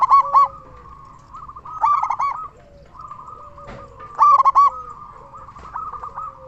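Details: Local zebra dove singing loudly as a lure to coax other zebra doves into song. Quick clusters of staccato coos recur roughly every two seconds, with a steady chatter of softer, lower cooing running underneath.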